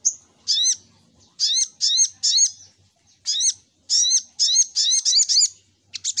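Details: Lure call of the little spiderhunter. Bright, high, hooked squeaky notes given singly or in quick pairs and triplets at irregular intervals.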